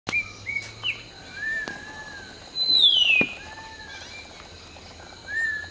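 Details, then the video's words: Hill myna singing in a morning chorus while preening: loud clear whistles, including a long sweeping note gliding downward, mixed with shorter high whistled phrases and brief sharp clicks over a quiet, steady background hiss. "Hill Myna Serenade: Preening, Singing, and Morning Symphony"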